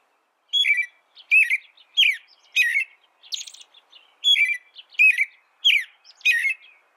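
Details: Steady caroling from an American robin. Eight or so short, downslurred whistled phrases arrive at an even pace, with one high, scratchy hissed note in the middle of the run.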